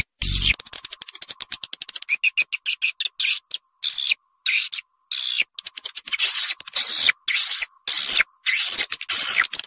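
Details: Swiftlet calls from Vietnam: rapid, dry, buzzy chirps and clicks in irregular bursts. At first they come as fast ticking pulses, then as longer raspy trills separated by short silences.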